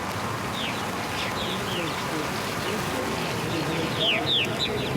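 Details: Hundreds of purple martins arriving at a huge Nashville roost in trees after sunset, about 8:40 pm, giving short, gurgling overlapping chirps at a quick pace, over traffic rumble and a man's voice.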